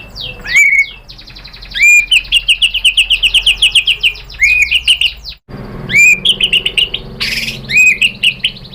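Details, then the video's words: White-rumped shama singing to provoke another bird to reply: loud upslurred whistles followed by a long fast series of repeated rhythmic notes, a brief break, then more ringing whistles and chatter. "PANCINGAN MURAI BATU BIKIN EMOSI JADI NYAUT GACOR BONGKAR MATERI ¦ SHAMA BIRD"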